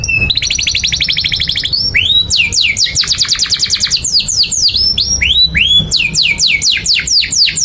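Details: Singing canary, a long 'gacor' song used to teach young canaries: an opening buzzy trill, an upward swoop, a dense rattling trill, then a run of sharp descending whistled notes repeated several times a second.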